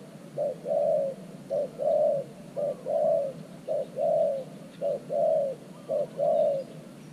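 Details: A new decoy spotted dove calls beside an earthen trap cage to attract wild doves. It repeats regular paired coos, a clipped note then a fuller, slightly falling one, roughly once a second.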